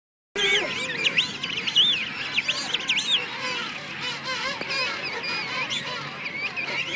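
A chorus of young King penguins: shrill, warbling whistles that rise and fall and overlap continuously, with a constant colony murmur underneath.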